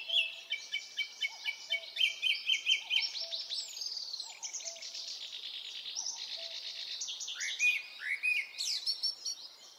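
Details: Japanese thrush singing in a Hokkaido forest in early summer, filmed with a Nikon Coolpix P950: a rich, varied flow of clear whistled phrases, with quick repeated notes and slurred rising and falling figures. Soft lower whistles sound faintly beneath.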